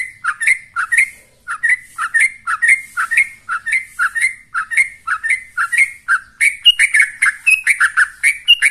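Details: A yellow-vented bulbul (Pycnonotus goiavier) gives rapid, bubbly chattering phrases, about two notes per second, mid-pitched with a burry, slightly scratchy quality and no other sounds.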